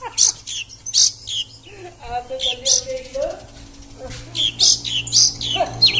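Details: Oriental magpie-robin in the konslet style giving sharp, high chirps in short bursts, broken by a lower, murmuring voice-like passage in the middle.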